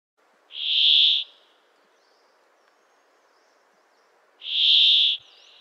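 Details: Brambling, a winter visitor from the far north that comes to Central Europe in hard winters, giving two long, harsh, nasal wheezing calls about four seconds apart, each under a second, over a faint steady hiss.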